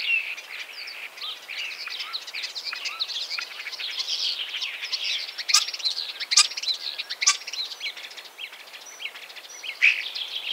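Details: Common starling (Sturnus vulgaris) singing a rambling medley of chirps, warbles and occasional loud sharp clicks, varied in pitch and delivered in an irregular, continuous stream.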